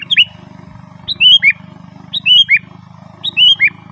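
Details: Sooty-headed bulbul in lively, rolling song, used to lure wild birds: short bright whistled phrases, each a quick rising note then falling slurred notes, repeated about once a second over a steady low hum.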